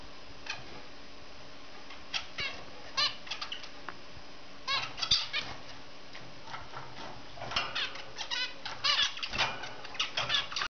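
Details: A zebra finch on a swing gives short, nasal, buzzy notes in scattered bursts, grouping into quicker chattering runs toward the end, over a faint steady background hum.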